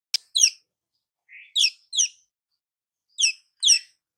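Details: Sharp, high chipping notes from a young weaver, recorded as a tutor for other birds, given in pairs about every second, with one soft lower note between them, quieter than the rest of the song.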